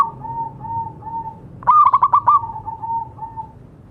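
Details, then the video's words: Local zebra dove in song, for therapy of doves that stopped calling: one loud phrase of six quick staccato coo pulses in the middle, framed by a steady soft rolling coo from another dove. "Perkutut lokal gacor suara bagus untuk terapi yang macet bunyi."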